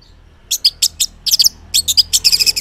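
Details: Orange-headed thrush (Geokichla citrina) sings a fast run of high, sweet whistled and scratchy phrases in quick bursts over a faint low hum, a morning song used as a lure to prompt silent males to answer.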